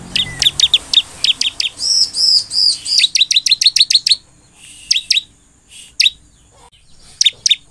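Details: Crescent-chested puffback (ciblek) in energetic gacor song, played to make other ciblek respond: rapid strings of sharp, high, ticking chips, a burst of arched warbling notes, then scattered loud single chips with brief pauses.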